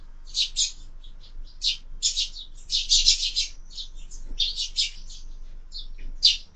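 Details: Squabbling sparrows at a feeder mounted on a window, part of year-round bird feeding; clear bouts of harsh, overlapping chirps with short gaps between them, over a quiet background.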